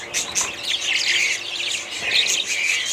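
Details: Budgies chattering in a busy mix of quick high warbles, short rising chirps and squeaky trills, several birds calling together throughout.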